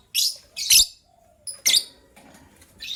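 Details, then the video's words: Lovebirds, gray and yellow-green, kept birds heard in the morning, one gray bird said to be ready to lay eggs: harsh high chirps in short bursts, two close together, then a gap and a rasping squeak. "Yellow Green Lovebird's melodious chirping sound"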